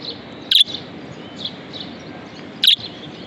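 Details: Budgerigar kept as a pet making two isolated, brief, piercing chirps about two seconds apart against a low hiss.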